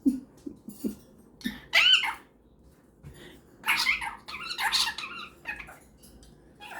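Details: A cockatiel and a superb parrot talk to each other before bedtime: the cockatiel's chatter comes in short scratchy bursts and squeaky notes, mixed with the parrot's calls, in a quiet room.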